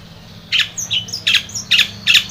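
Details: Long-tailed shrike in full, lively song, used to coax a silent or stressed shrike into singing: four harsh, rasping squawks spaced about half a second apart after a quiet start, with faint thin whistles between them and a low steady hum.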